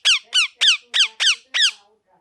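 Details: Pet ringneck parrot giving six loud, sharp chirps, each sliding steeply downward, spaced roughly a third of a second apart in a quiet indoor setting.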